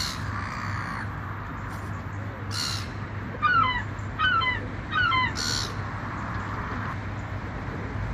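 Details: A seagull flying by the ocean utters three quick bursts of sharp, laughing kek notes about a second apart, between soft hisses of surf and a low background drone.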